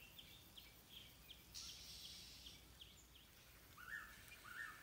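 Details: A Stripe-throated bulbul gives short chirps about every half second, then two louder, lower notes near the end, over steady hiss, at a nest where a parent watches over and then feeds its single chick.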